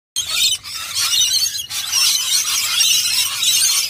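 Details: Rainbow lorikeet taking a bath in nectar while feeding: continuous harsh, shrill screeching and squealing, dense and loud throughout with brief dips near half a second and one and a half seconds.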